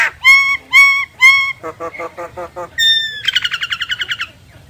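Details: Myna calls used as a lure for bird survey work: three loud harsh squawks with a whistled tone, then a rapid run of short chattering notes, ending in a fast series of bright metallic notes.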